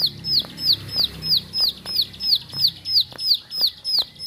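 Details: Bar-winged prinia (ciblek sawah) kept at home, singing a steady series of sharp, high, downslurred whistled notes, about three per second, each note bright and clipped, with faint low background hum.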